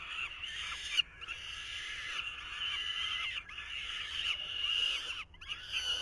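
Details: Falcon chicks at the nest in 2023 as the male tries to feed them: a continuous harsh, wheezy chorus of overlapping calls, briefly broken by short gaps and a sharp knock.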